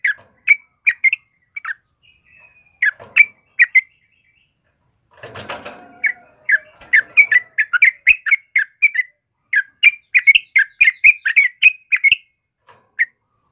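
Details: Energetic song of a yellow-vented bulbul (trucukan kebo), meant as master song for caged birds; scattered bubbly phrases, then a rustling clatter, then a fast burst of rich chortling notes.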